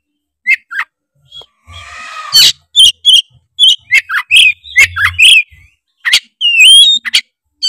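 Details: Oriental magpie-robin from Tretes, singing loudly and steadily to provoke rival magpie-robins. Varied song: sharp whistled notes and chirps, a harsh rasping burst near the two-second mark, then quick clustered whistles and a rising, sliding phrase near the end.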